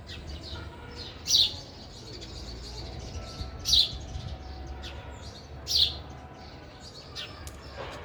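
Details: A sparrow eating at a feeder calls with three clear, piercing high chirps at uneven gaps of roughly two seconds, softer faint twitters scattered around them, low steady hum beneath.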